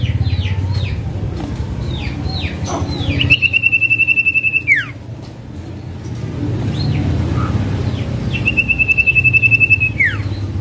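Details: Common iora male, used as a lure for other ioras, repeats clear downslurred whistles and two long pulsed level trills ending in falling notes, with steady low rumbling noise throughout.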